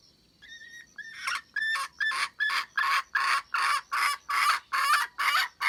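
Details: Wild red junglefowl hen on 27 January 2015: thin whistled notes lead into a quickening series of about eleven rough, loud cackles, roughly two per second.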